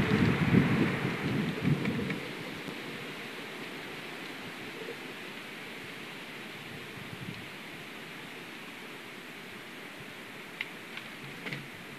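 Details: Rain and wind with low rumbling in the first two seconds, then steady hiss and a few faint clicks; no animal voice stands out.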